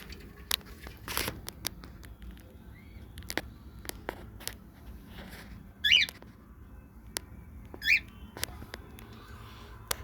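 A cockatiel gives two short, shrill whistled calls about two seconds apart amid scattered clicks and taps.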